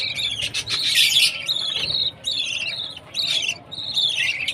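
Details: Young budgerigar chirping at feeding time: bursts of raspy, high chirps in groups separated by short pauses, with a louder noisy squawk near the start.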